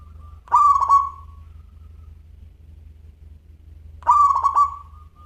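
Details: Local zebra dove, kept as an actively singing 'crystal voice' songbird, gives two short cooing phrases about 3.5 seconds apart, each a bright, slightly stuttered coo that trails off, over a steady low hum.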